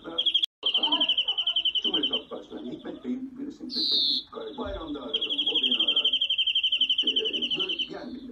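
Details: Greenfinch song of extended rattling trills at a fast steady pulse, broken once by a harsh nasal wheeze that slides downward. Continuous male speech runs beneath the bird throughout.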